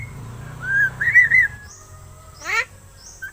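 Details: Pet myna, seven months old, raised at home and learning to talk: a smooth wavering whistled phrase, then one loud harsh descending squawk, with a faint low hum.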